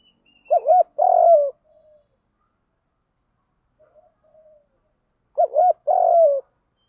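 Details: Spotted dove giving a continuous fighting coo in the giọng đồng style, used to provoke and lure wild doves; two phrases about five seconds apart, each a quick double note then a longer, falling, hollow coo, over near-silence.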